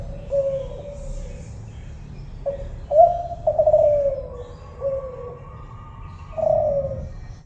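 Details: Tekukur (spotted dove, Kelantan type) cooing in mellow hollow notes. Short coos lead into longer sliding, descending phrases, with brief pauses between them and a low background rumble.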